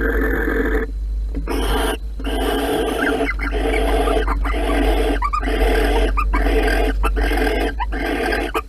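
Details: Barn owls pairing in a nest box at Holten on 16 March 2020. Rapid, uneven rasping pulses, about eighty a minute, mix with thin squealing notes and a low background hum.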